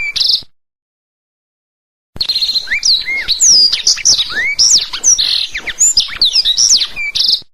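A black-throated canary sings a fast, rambling run of high, sweet twitters, trills and rising whistles, broken by a short silent gap near the start.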